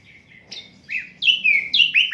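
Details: Asian brown flycatcher singing, unedited, as a tutor for other songbirds: soft high whistles, then loud rapid down-slurred notes repeated about every quarter second, rising in energy.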